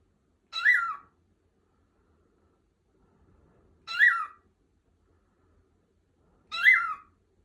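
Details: Pet lutino cockatiel roaming an upstairs bed at will, playing and chattering: three brief, grating squawks spaced roughly three seconds apart, each sharply peaked then dropping, over a near-silent indoor background.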